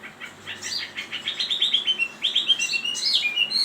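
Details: Chinese hwamei delivering a fast series of short, clear whistled notes, repeated about four per second, shifting pitch between phrases with brief sweeping flourishes.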